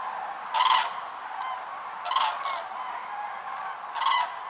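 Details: Record concentration of over 206,000 migrating common cranes at Lac du Der-Chantecoq, Champagne-Ardenne, in November 2014; loud rolling trumpet calls at roughly 1.5-second intervals over a constant background murmur of the flock.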